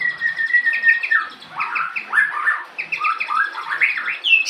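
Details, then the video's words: Continuous varied warbling from a local branjangan bush lark singing its full repertoire, with rolling whistled notes, quick repeated chips and rising and falling slurs flowing together without pause. "Branjangan lokal full materi"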